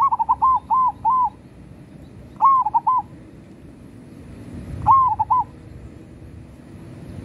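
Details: Local zebra dove singing actively: three cooing phrases about two seconds apart, each a rising opening note followed by two or three short, rounded coos, over a low steady hum.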